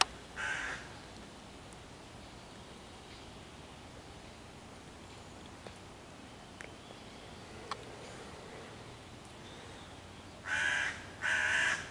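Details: Hooded crow cawing loudly on 11 June 2023 while harassing five young raccoons in a tree near their hollow, trying to drive the predators off and calling other crows to attack; one harsh caw, a long quiet stretch with faint clicks, then two caws close together.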